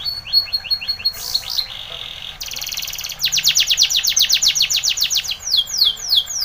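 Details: Spanish Timbrado canary singing for training: soft repeated whistles, a bright metallic buzz and a rattle, then a loud burst of rapid descending sweeps and quick looping notes.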